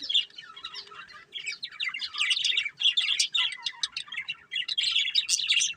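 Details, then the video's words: Budgerigars, a breeding pair, keep up lively, twittering chatter of short squeaky chirps and warbles, getting busier after the first second. "Beautiful Budgies Chirping Sounds"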